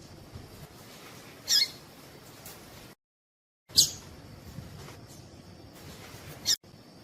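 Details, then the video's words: Female Double-collared seedeater call for warming up singing males: three short high chips spread across seven seconds, with a sudden silent break midway and light hiss elsewhere. "Piado de fêmea coleiro tui tui"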